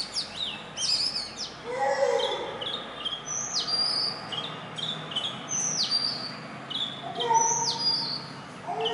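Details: Indian robin, a small black and white bird that lives near human homes and sings every morning and evening from a branch or wire: sweet, varied whistled phrases with sharp high notes and lower warbles, repeated through the recording.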